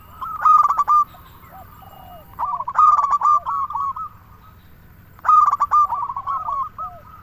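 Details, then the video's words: Local zebra dove (perkutut) song meant to lure doves or make silent ones sing: three loud phrases, each a stuttered opening followed by a rolling string of short cooing notes, spaced about every two and a half seconds. "Perkutut lokal gacor suara paling ampuh untuk pancingan burung perkutut agar bunyi"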